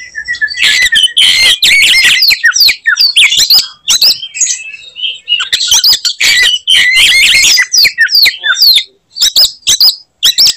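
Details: Oriental magpie-robin fighting song intended to enrage rivals: loud rapid chattering and whistled slurs, a brief lull, then more energetic harsh phrases and sharp downward sweeps.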